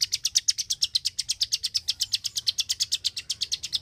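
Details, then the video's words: Energetic klik-klik bird giving a quick, even string of sharp, high ticking clicks, about seven per second, loud and steady, with a faint low background hum. "BURUNG KLIK KLIK SUPER GACOR,TEMBAKAN SUARANYA BIKIN MELONGO"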